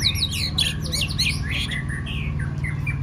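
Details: Singing contest training for a white-rumped shama: a dense, rich burst of rapid varied whistles, slurs and trills, then a few longer falling whistles, against a constant low droning background.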